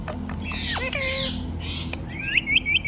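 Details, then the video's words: Rose-ringed parakeet, kept as a pet, making harsh broadband squawky syllables and a downward slur, then a run of short bright chirping whistles near the end. "Ringneck Parrot Talking Mithu Mithu"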